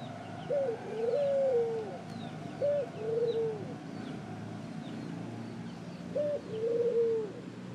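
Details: Ring-necked dove calling: three cooing phrases, each a short clipped note followed by a longer, slurred, falling coo, low and mellow. Faint high chirps from other small birds and a soft outdoor background.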